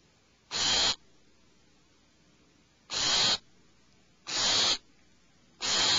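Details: Four harsh, steam-like screeches come from alarmed owlets in a nest cavity. Each lasts about half a second, with uneven gaps of one to two seconds.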